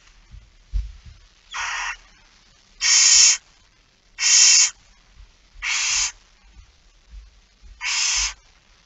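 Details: Feeding-time begging of a barn owl, recorded 13 September 2019 at 06:57: five drawn-out rasping hisses, repeated about every one and a half seconds, with faint knocks and shuffling between them.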